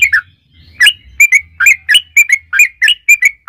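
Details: Yellow-vented bulbul song in a long, continuous run, used as a lure to make other bulbuls sing; crisp, slightly buzzy chirps around a steady pitch, repeated roughly every third of a second after a brief pause, with a faint low hum.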